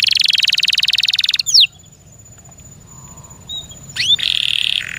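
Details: Kept canary singing: a fast buzzy trill, then two sharp downward-sweeping notes, a short near-silent pause with faint soft notes, and another rapid buzzy trill to finish.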